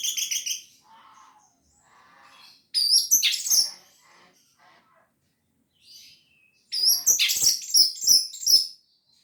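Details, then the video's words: Singing orange-headed thrush, gacor teler style with full material: bursts of shrill, rapidly repeated twittering and slurred whistles separated by quieter, lower warbled fragments and short silences, the loudest burst packed with dense, quick high notes. "Anis Merah Gacor Teler full materi"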